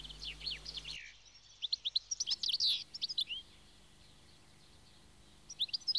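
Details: A European goldfinch in flowering fields with weeds gives a melodious, liquid, high-pitched twittering song in quick bursts of tinkling, slurred notes, with pauses between phrases and faint background hiss.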